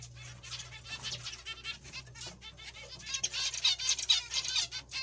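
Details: Several zebra finches give dense, overlapping nasal toots and buzzy chatter that swell louder toward the end, over a faint low mechanical hum.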